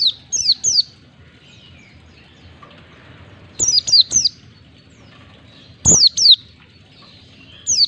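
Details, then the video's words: White-eye song played to encourage caged white-eyes to sing: bursts of two or three bright, rapidly falling high whistles separated by a few seconds of quiet. "Pancingan pleci agar cepat ngalas buka paruh, masteran pleci cepat ngalas"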